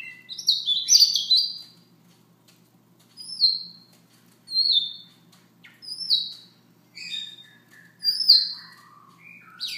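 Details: Soft morning singing by a Siberian rubythroat: a busy burst of high notes, then a string of similar falling high whistles every second or so, ending in lower slurred whistles.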